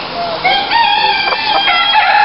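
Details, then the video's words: A small rooster crowing at an animal park in France, near bantam hens; one loud, strained crow rising and then held level, with harsh overtones across about two seconds. "Donc voici un petit coq qui chante."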